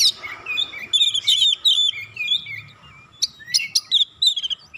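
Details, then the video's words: Oriental magpie-robin song used as a lure to get other birds singing: varied whistles and chattering phrases in irregular bursts, with short gaps between phrases. "PANCINGAN KACER lelet bunyi langsung gacor nembak rapat"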